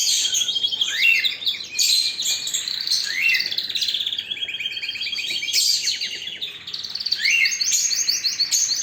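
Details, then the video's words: Powerful canary song made of rapid rolling trills, each phrase of quick repeated notes, broken by rising swoops and bright high chirps, delivered nonstop. "اقوى تغريد طائر الكناري"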